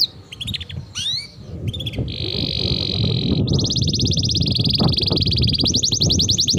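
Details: Canary training song of scattered chirps and slurred notes, then long steady buzzy trills at high pitch, mixed with loud low rumbling noise throughout.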